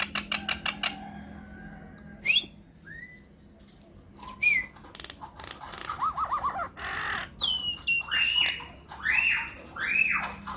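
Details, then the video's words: Lure song of a myna, played so other mynas will respond: a few sharp clicks, then isolated clear slurred whistles, a buzzy rattle and loud downslurred harsh calls with gaps of near silence. "PANCINGAN / MASTERAN SAKTI UNTUK SEMUA JENIS JALAK, JALAK APA SAJA AKAN NYAUT | MYNAH BIRD"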